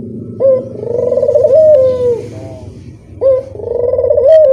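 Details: Barbary dove cooing as a lure sound, low and purring, with two abrupt onsets each followed by a long vibrating coo that rises gently in loudness and falls away.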